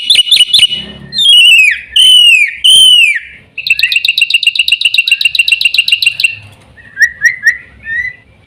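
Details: Varied black-winged myna song: sharp clicks, three long loud descending whistles, a fast rattling chatter, then scattered lower chirps.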